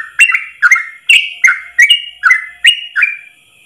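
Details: Yellow-vented bulbul in one-breath 'ropel' song for training other trucuk birds: eight sharp whistled notes, each sliding down then up, spaced under half a second apart, ending in a short pause.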